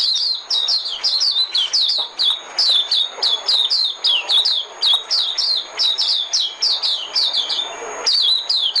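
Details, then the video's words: Fast, nearly continuous white-eye decoy song: high, thin, downward-slurred chirps repeated about four times per second for eight seconds, after a brief break. A faint steady high tone lies underneath. "Tiếng chim mồi - Tiếng chim khuyên mồi hay nhất 2017"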